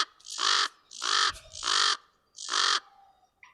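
Common raven giving four harsh, hoarse croaks, each about half a second long, evenly spaced across three seconds, with a faint low rumble between calls.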